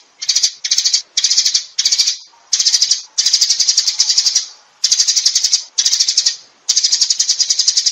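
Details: Rapid, high sparrow chirping meant to call the flock together, delivered in about ten short stuttering bursts with brief silences between.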